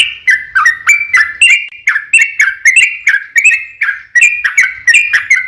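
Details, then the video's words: Yellow-vented bulbul giving a long rapid 'ropel panjang' song, played to make other bulbuls reply: a steady train of bright, slurred whistled chirps, each starting sharply and falling away. "SUARA trucukan gacor ROPEL PANJANG pancingan trucukan agar bunyi JADIKAN burung trucuk gacor NYAUT"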